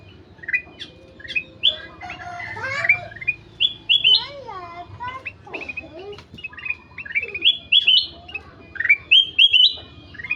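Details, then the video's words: Golden-fronted leafbird singing steadily: a varied run of clear whistled phrases, rising and falling slurs, short chirps and trills in quick bursts, with brief pauses between phrases and a low background hum. "Burung kutilang emas gacor"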